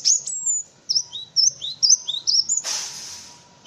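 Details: Cinereous tit singing for tutoring white-eyes and other songbirds: a long high whistle, then a string of short upslurred and downslurred notes, ending in a sudden burst of broadband noise.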